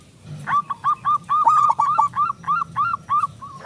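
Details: Local zebra dove song used to prompt other doves to sing: rhythmic, separate cooing notes, each with a falling hook, repeated about three times a second.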